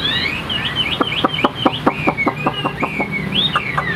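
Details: Caged male Chinese hwamei kept as a songbird, singing high: loud slurred whistles rising and falling in a continuous phrase, interrupted by a rapid run of short clipped notes, with faint background noise.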